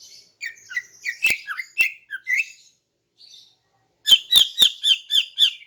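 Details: Female greater green leafbird singing in the morning to draw in males: varied slurred whistles and buzzy notes with sharp clicks, a short pause, then a fast run of raspy repeated chirps.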